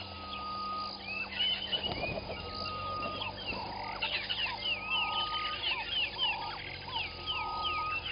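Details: Southern masked weavers at their nests by Gowrie dam, Djuma Game Reserve, Sabi Sand, South Africa, at 05:23 on 15 January 2021, chatter in a busy stream of short, rapid, swooping chirps, several birds overlapping, over a thin insect-like whine.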